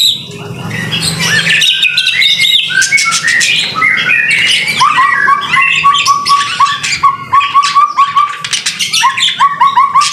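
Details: A white-rumped shama sings lively in the rain. Mixed whistles and harsh notes lead into a long run of short repeated upslurred notes at a steady, rapid beat.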